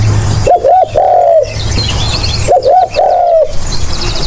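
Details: A spotted dove call kept for luring: two phrases of two short hoarse coos and a long sliding coo, two seconds apart, with faint distant chirps and low hum.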